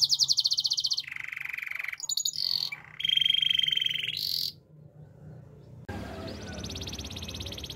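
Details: Morning song of a Belgian canary used for training: high pulsed trills change abruptly into lower rolling churrs and bright whistled segments, then a brief pause before a fainter high rapid trill resumes over faint low hum.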